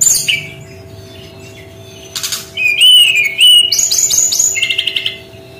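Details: Brown-chested jungle flycatcher song in its unique 'tembakan' style, with scattered high notes, then a rush of rapid, rolling, warbled phrases and quick stuttering chips that speed up toward the end.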